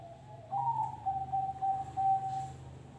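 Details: Pet zebra dove giving a noklak nekung song: a faint steady tone, then a brief rising opener followed by a string of clipped, even cooing notes at one pitch, with a low hum underneath.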